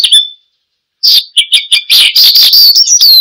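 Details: Australasian bushlark (branjangan) in energetic 'gacor' song for luring and training cage birds; a lone high whistle, a second of silence, then quick chirps building into a dense high twittering run.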